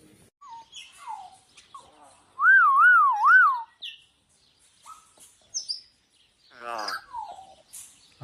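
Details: Common hill myna, a captive talking bird said to utter "Allah", gives scattered short whistled notes, then a loud wavering whistle rising and falling about four times, followed by softer chirps and a buzzy trill.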